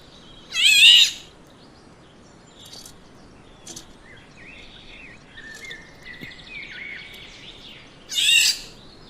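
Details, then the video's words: A Black-naped oriole gives two loud, harsh, nasal calls about seven seconds apart, with fainter whistled notes from other birds in between. "Diffrent sound of black naped oriole Bird"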